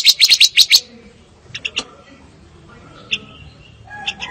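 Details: Fire-tailed myzornis song: a quick burst of five or six sharp, high chirps in the first second, followed by sparse, fainter chips and a short thin trill near the end.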